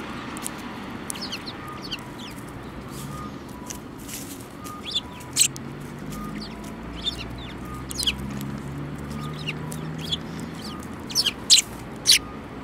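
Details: Several sparrows, recorded on 29 January 2018, give short sharp chirps scattered irregularly over a steady low background hum, some in quick pairs, with louder clustered notes near the end.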